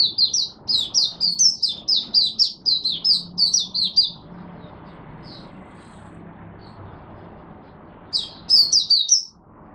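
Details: Caged Oriental white-eye in Singapore on 23 March 2023, humid, warm, rainy and overcast, singing: a fast run of high, thin chirping notes for four seconds, a pause with faint low background hum, then another brief burst of sharp twittering.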